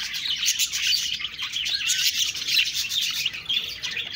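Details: Budgies twittering in a dense, high-pitched chorus of quick chirps and squeaky chatter, evenly sustained from start to finish.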